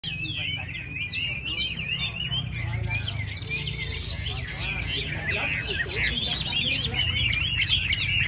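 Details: A Chinese hwamei, hung somewhat far from others, pours out a loud, rich song of fast, varied whistled phrases that rise and fall without pause, over a steady low rumble of background noise.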